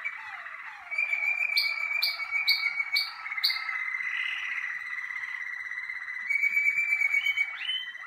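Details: Malinois Waterslager canary on early cabinet outings, warming up: a series of crisp clicking upward notes over a continuous whistled tone, then a long rolling trill and a closing flourish.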